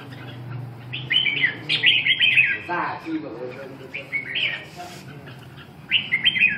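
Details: Red-whiskered bulbul, a kept bird, recorded 10 June 2012; short bright warbled phrases come in bursts with gaps between them, over a low hum and faint background noise.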